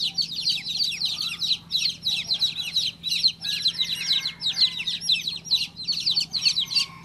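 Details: Just-hatched chicken chick calling in fast, piercing chirps packed into long clustered bursts separated by brief gaps, a low electrical-sounding hum running throughout.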